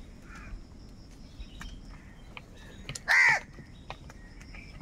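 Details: Crow giving an angry call as crows fight over food: one short, harsh, loud caw bursts out just after three seconds above faint background hiss and scattered distant chirps.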